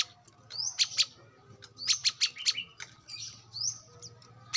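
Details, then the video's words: Wild brown-throated sunbird used as a lure: quick high rising slurs and sharp chips in close succession over a noticeable low background hum. "kolibri kelapa | manggar | wiceh | pancingan korlap dengan suara asli alam liar gacor"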